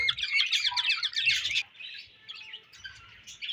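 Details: Breeding-season budgies pour out a fast, loud warble of squeaky chirps for about a second and a half, then drop to scattered softer twitters.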